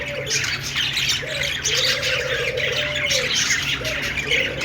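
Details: Chattering budgerigars fill the air with rapid, scratchy chirps and squawks. A smooth lower tone hums in long waves behind the flock.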